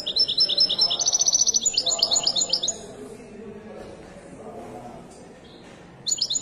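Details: Widani-style European goldfinch at a Casablanca bird market pours out nearly three seconds of quick, high, ringing twitters that step upward in pitch, then falls silent before a short final burst, all over a murmuring crowd.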